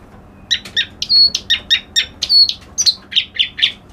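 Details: Reed warbler, known locally as kerak basi alis putih, singing a fast run of harsh, chattering notes repeated about once a second, with some higher whistled elements mixed in, over a quiet background.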